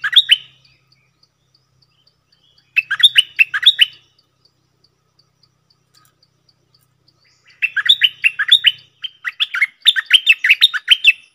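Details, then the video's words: Cream-vented bulbul, known locally as nok dok taeng, singing a doubled song: bursts of rapid, bubbly whistled notes sliding up and down, three phrases with pauses of several seconds between, the last phrase longer and repeated. "เสียงนกดอกแตงEp.59 Birds sounds เพลงเบิ้ลของเจ้าเพชร!!Merbah lekir gacor"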